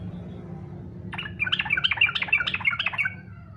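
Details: Yellow-vented bulbul in fighter style, a song meant to draw other bulbuls into singing; following a second of quiet, a rapid run of liquid, chattering notes pours out for about two seconds, then fades.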